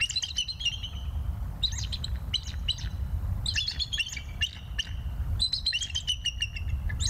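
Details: Bald eagles at a nest in Decorah, on a November evening: bursts of high, sharp chirping and piping notes in rapid series, several separate bouts across the clip, over steady low rumbling background noise.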